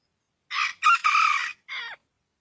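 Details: Rooster crowing: after half a second of silence a hoarse crow in three parts, a short opening note, a long rasping held note, then a shorter falling tail.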